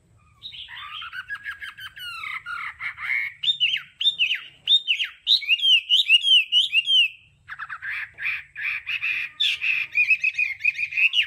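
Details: Chinese hwamei (Garrulax canorus) in a song-training recording gives a loud, rich run of varied whistles and slurred notes, rising and falling in quick, changing phrases with only brief pauses.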